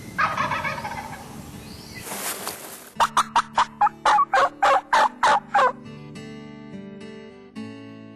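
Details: Wild turkey gobbler gobbling in response to calls during a spring morning hunt on a farm in Harrison County, Kentucky: a rattling opening burst, then quick, evenly spaced throaty notes, about three a second, with steady background music.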